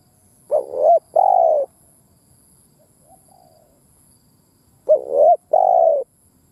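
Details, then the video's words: Decoy spotted dove calling to stir up other doves. Two paired hollow coos, the first rising then dipping, the second steady, repeated after about four seconds, with a faint soft coo in the quiet gap. "Tiếng Chim Cu Mồi Đất Thúc gù gáy"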